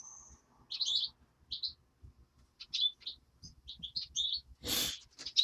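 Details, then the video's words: European greenfinch chick producing repeated high chirps in short groups, with a faint whistle at the start and a brief loud rustle near the end. "Птенец зеленушки"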